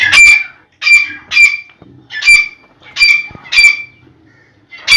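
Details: Black francolin calling loudly, with harsh, rasping, broadband notes delivered in short bursts about every half second to one second against a quiet background.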